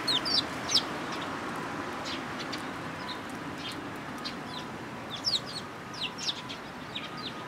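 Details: Sparrows at a Tenmangu shrine, recorded on 14 April 2022: scattered short, bright chirps come singly and in small groups throughout, some louder bursts near the start and toward the end, against a constant faint background hum.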